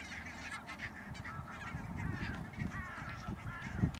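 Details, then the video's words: Barnacle geese at Schouwen-Duiveland and Goeree-Overflakkee, Netherlands, on 16 March 2009: several short, yapping, bark-like calls from multiple birds, overlapping throughout, set against a strong low rumble like wind. "Bernache nonnette (Branta leucopsis)"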